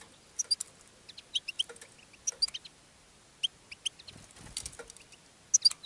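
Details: European goldfinch singing from a cage to draw in other goldfinches, giving sparse bright twittering notes in small clusters with short gaps between them over a soft hiss.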